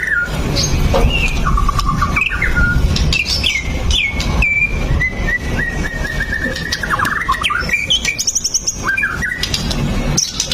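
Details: Singing white-rumped shama meant to trigger song in other shamas: long held whistles, stepped note runs and sudden high trills, with a heavy low rumble throughout.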